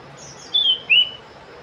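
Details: Sooty-headed bulbul (local names cipow, cipoh) giving two clear whistled notes, the first level then falling, the second rising and then easing off, in near silence.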